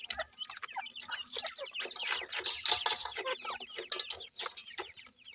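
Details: Several Sindhi grey francolin chicks cheep constantly while feeding, with dense high twittering notes, frequent pecking-like clicks and a faint low hum underneath.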